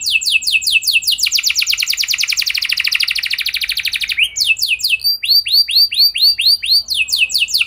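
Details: Canary singing as a lure for other canaries: a long fast rolling trill that speeds up, then slower, spaced, arching whistled notes and more quick sweeps.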